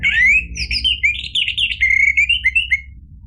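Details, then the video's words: Orange-headed thrush in full lively song, used as a lure to provoke another bird into singing: a continuous run of loud, varied whistled and warbled phrases with quick pitch shifts, ending after about three seconds. A low hum sits underneath. "ANIS MERAH GACOR memancing EMOSI jadi BUNYI NYAUT ikut NGEPLONG"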